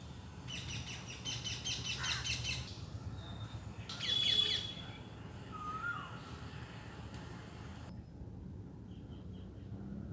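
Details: A parrot on a tree gives a run of harsh, raspy squawks, then a louder screech and a few short whistled notes, over a steady low background rumble.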